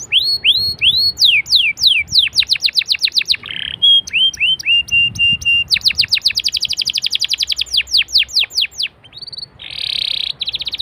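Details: Canary singing as a prompt to set other canaries singing: long rolling sequences of rising whistled notes and rapid trills, a buzzy burst near the end, and low background noise throughout.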